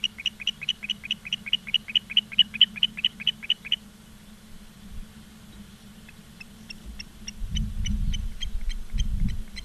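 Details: Osprey calling at Charlo, Montana, afternoon of 15 August 2023 via live camera: a loud run of rapid high chirps for about four seconds, then fainter scattered chirps, with low rumbling thumps and a steady hum.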